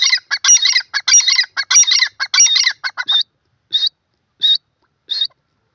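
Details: Grey francolin, known locally as teetar, calling in rapid harsh bursts of grating notes for about three seconds, then slowing to three separate single notes spaced well apart before falling silent.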